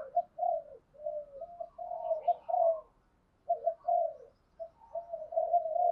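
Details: Spotted doves, male and female, cooing to provoke a rival to fight: soft low coos in short groups, several phrases of two to four notes separated by pauses.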